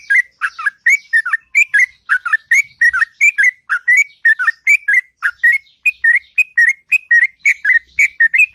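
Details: Sooty-headed bulbul delivering a long, sweet ngropel song in the morning, rapid liquid whistles in swooping pairs running continuously for over eight seconds at an even pace.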